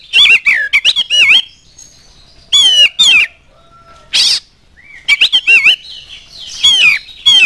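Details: Oriental magpie-robin lure song meant to provoke other birds, with fast strings of loud clear whistles and scratchy notes, one broad harsh burst, and quiet gaps of about a second.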